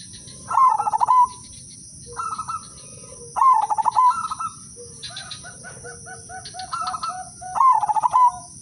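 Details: Udanmas silver zebra dove performing a melodious lure song meant to trigger other doves: repeated pulsed cooing phrases about every two seconds, some higher, some lower, with low short notes between and a constant high electronic tone.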